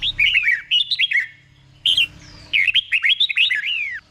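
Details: Doubled-style song of a caged red-whiskered bulbul, slow and clear so other caged bulbuls can copy it: a falling run of bubbly whistles, a short note, then a longer looping whistled phrase.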